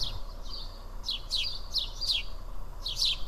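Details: Feeding house sparrows at Karyotissa, Greece, give bright, falling chirps in short runs, one or two together, loud and close against quiet low background noise.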